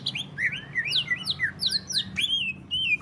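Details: Greater green leafbird 'ngentrok' song used to coax other leafbirds into singing: a quick run of clear whistled notes swooping down and up, ending in a brief upward slur, faint hum beneath.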